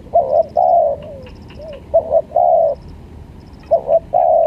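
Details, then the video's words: Spotted dove lure call used as long-duration tutor audio: repeated short cooing phrases of two clipped notes and a longer mellow coo. Faint thin high chirps sound in the background. "PancinganTekukur||Cocok Buat Masteran Duarasi Panjang"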